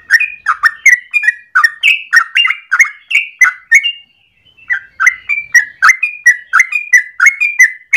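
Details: Yellow-vented bulbul (Pycnonotus goiavier) in long, rolling morning song, used as a lure or tutor recording: rapid, bubbly, slurred notes, several per second, after one brief pause; mid-pitched with bright overtones, no other sounds.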